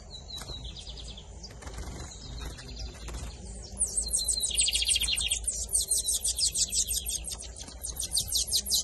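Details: Bigodinho, or lined seedeater, 2023 season in Camelão and Torneiro styles: short trilled phrases amid clicks, then a strong rattling trill joined by a very high, rapidly pulsed buzzing series.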